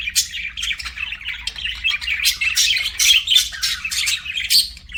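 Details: Chattering pet budgie: dense high chirps and scratchy squawks in repeated bursts, with a soft low hum in the background.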